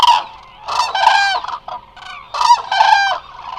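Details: Close Eurasian cranes from a large resting flock at Israel's Hula Nature Reserve give loud, harsh trumpeting calls in quick pairs, overlapping in places, with softer calls from others and a steady hum.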